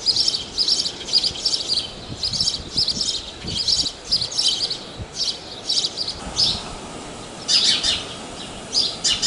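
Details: Sparrow chorus at Praia de Pipa beach in Rio Grande do Norte, Brazil: dense overlapping high chirps with almost no gaps, steady roaring noise underneath.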